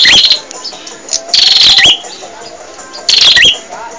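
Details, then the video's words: Prinia song meant for training caged birds: short, loud bursts of high chirps and upward-sliding whistles, separated by quieter stretches with faint background twittering. "Suara Burung Prenjak | Gacor"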